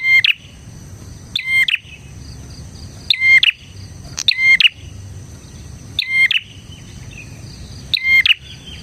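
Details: Bar-winged prinia singing hard, recorded as a lure for other prinias: a brisk series of about eight loud, metallic chip-and-whistle bursts at irregular one-second intervals over a quiet background.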